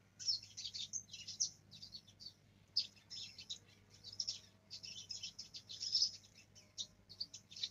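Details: Young black-throated canary practising its roll: continuous bursts of high, scratchy, fast chirping and trills with short breaks between phrases, low steady hum in the background.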